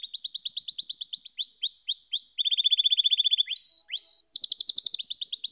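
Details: Canary singing a varied sequence: quick bright trill, slow rising sweeps, a fast buzzy rattle, a held whistled note, then another rapid high trill.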